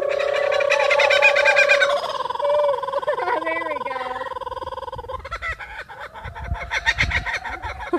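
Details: A female kookaburra at a conservation and breeding center laughs: rolling, cackling notes that build in chuckling bursts, with a second kookaburra faintly in the background and people talking.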